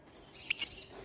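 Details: Pineapple green-cheeked conure, a pet parrot, giving one brief loud raspy squawk in an otherwise quiet room.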